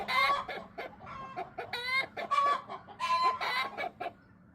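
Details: Backyard hens, including bantam Silkie chickens, chattering noisily: rapid clucks mixed with longer harsh calls, several birds overlapping, fading at the end.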